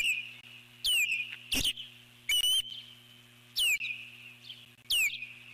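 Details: Eagle at the nest keeps alert calling while a large bird, possibly an osprey, passes on 12 July 2014: single loud, sharply descending whistled notes spaced about a second apart, over a steady high-pitched hum and low drone.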